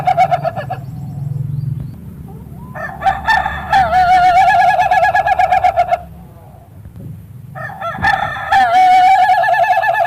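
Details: Ayam Ketawa chicken crowing: a short opening note, then two long bursts of fast, chattering, laugh-like syllables separated by a quiet pause, with faint low background rumble.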